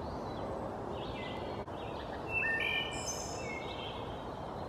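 A wood thrush gives fluty, ringing phrases at several pitches, ending in a high, rapid trill, over a steady roar of background noise.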